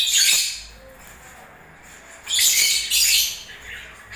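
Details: During breeding season, lovebirds let out loud, raspy, high-pitched chattering in three bursts, the opening one longer, then a pause before two quick bursts close together.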